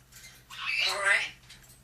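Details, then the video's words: Female pet African grey parrot in her cage in the morning, asking to come out: one short, speech-like utterance of about a second with stacked harmonic bands, rising and falling, indoors over a steady low electrical hum. "African Grey parrot Sugar asking to come out of her cage in the morning."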